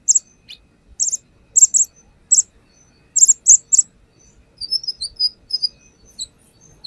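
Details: Used as a lure, a brown-throated sunbird sings its song fill-ins: clusters of loud high chips in pairs, followed by a softer jumble of twittering, slightly lower notes.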